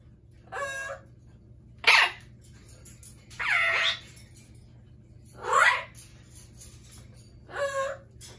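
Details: Amazon parrots give five short, separate squawks spaced one to two seconds apart, some with a stepped, wavering pitch, against a quiet background.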